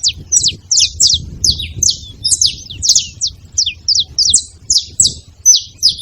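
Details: Saffron finches calling together at a feeding spot, a busy overlapping series of high, clipped chirps and short downslurred notes, several per second, with low background rumble.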